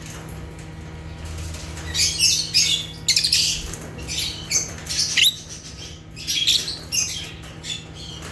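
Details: Agapornis lovebirds of Africa chirping naturally: quiet opening, then repeated shrill, harsh chirps in short clustered bursts through the rest, over a steady low hum.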